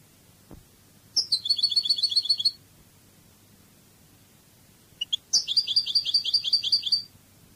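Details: European goldfinch singing a Spanish Cádiz-style song from a song CD: two rapid, high, tinkling trilled phrases, each about a second and a half long, with a quiet gap between them and a faint low hum underneath.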